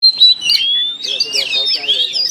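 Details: Caged Oriental magpie-robins in China-style cages fighting a rival; loud, continuous, high whistled phrases with slurred rising and falling notes, sharp chips and rapid warbling, delivered without pause.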